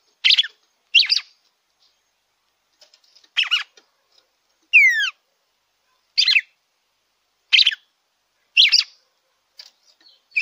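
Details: Red-cowled cardinal singing in captivity, used to stimulate a caged bird. Brief, rich warbled phrases repeat roughly every second or so, with a single down-slurred whistle partway through and quiet gaps between.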